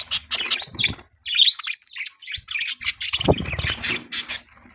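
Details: Budgies chattering in a quick run of harsh chirps and squeaky squawks, broken by a silent gap near one second, a low thump around three seconds, then bright twittering to the end.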